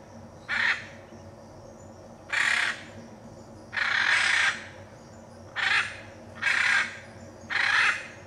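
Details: Loud coarse squawks of a Hyacinth macaw in the Pantanal, Brazil, six calls of varied length, one notably long and grating, spaced one to two seconds apart over quiet background hum.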